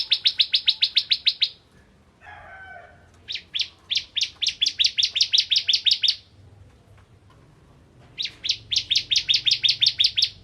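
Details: Vigorous song of a Ciblek Kristal bar-winged prinia, played to prompt other prinias to sing: three bursts of quick, evenly spaced high chips, divided by brief pauses and one soft scratchy sound.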